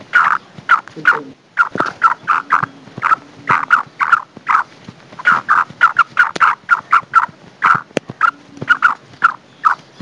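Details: Black francolin female, known locally as kala titar, giving a long run of rapid harsh clucking notes, several per second in uneven bursts, steady and insistent with little background noise.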